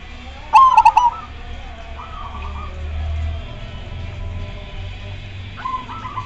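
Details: Majapahit zebra dove, its coo said to set other doves answering: one loud stuttering coo early on, softer rolling trilled coos after, over a low background hum.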